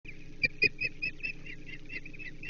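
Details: Osprey at a nest on the Chesapeake, 1 June 2024, as the male delivers a menhaden for breakfast; a burst of sharp, high chirps, two louder notes followed by a quicker run of softer chirps, over low steady hum.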